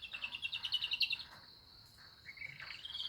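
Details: Canary singing with lovebird phrases: a fast rattling trill of sharp repeated notes, then a pause and softer rising chirps, with a constant high whine behind.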